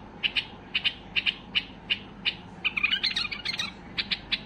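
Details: Highly excited white-eared bulbul singing to prompt other bulbuls to sing: paired short bright notes repeated about every half second, then a faster jumbled burst of chirps and a few more spaced notes.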